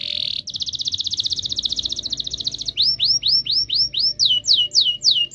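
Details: Canary song with long rolls, used to prompt silent canaries to sing: a high buzzy trill rattling rapidly for over two seconds, then a run of sweeping downslurred notes repeated about three times a second.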